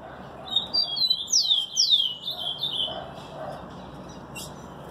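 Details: Rufous-collared sparrow (tico-tico) singing: a short phrase of clear high whistled notes, then sweeping descending slurred whistles and a trailing buzzy note, lasting about three seconds over quiet low background hiss.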